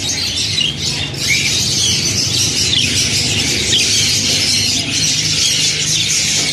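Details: Yellow pet budgerigars (Melopsittacus undulatus) in Khanewal, Pakistan, chatter continuously in a dense, high, scratchy warble of overlapping chirps and squawks, with a steady low hum underneath.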